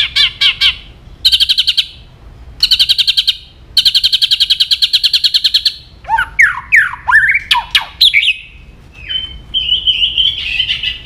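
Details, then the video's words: White-rumped shama in emotional, aggressive singing: fast rattling bursts and buzzy trills near the top of its range, then sweeping whistled notes and chattering phrases, with steady low background hum. "AWAS MURAI BATU MU IKUT EMOSI"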